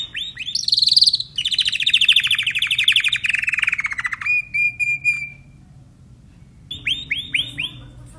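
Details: Timbrado canary singing: rapid metallic trills that slowly fall in pitch over three seconds, a sustained thin steady tone, a brief pause, then a series of clear whistled notes repeated quickly.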